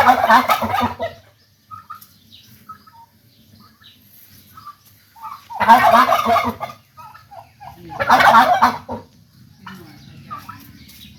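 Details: Turkeys in a village gobble in three loud, harsh rattling bursts, each about a second long, near the start, around six seconds and around eight seconds, with soft scattered clucks and chirps in the quiet gaps.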